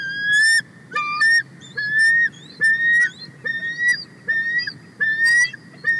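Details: Adult female bald eagle on the nest, excited as a sub-adult eagle (possibly her offspring) flies close, calls loudly: thin, high, slightly rising whistles about one per second, broken by sharp chittering bursts; Big Bear Valley, USA, 31 March 2024.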